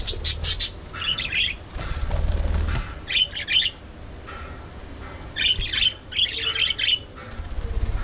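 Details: Budgerigars chattering in an aviary colony: several bursts of scratchy, warbling chirps, each about half a second long, separated by short gaps, over low background rumble.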